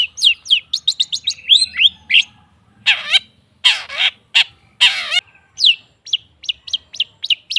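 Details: Long-tailed shrike song meant to make silent shrikes sing: fast falling chips, then three harsh, grating broadband squawks, then clear spaced downslurred notes.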